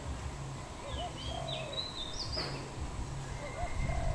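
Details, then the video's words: Wild dove in Cambodia, recorded 24 April 2020: low, soft cooing phrases, each a short hooked note followed by a longer drawn-out coo, given twice, while another bird whistles thin high slurred notes above and a steady low rural hum runs beneath. "Dove, นกเขา"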